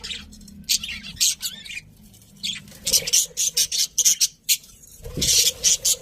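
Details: Budgies kept as pets chirping in quick, grating high pulses, first scattered, then in a rapid string of short bursts.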